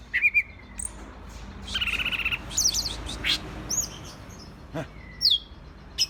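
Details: Agitated green leafbird (cicak ijo) mixes a drawn-out buzzy rattle, high slurred whistles and sharp chips, sparse phrasing over a noisy low background.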